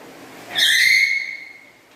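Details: Single loud call from a black-capped lory kept as a house bird, with a voice described as melodious and loud: a sudden harsh onset that settles into a long, steady whistled tone and slowly fades.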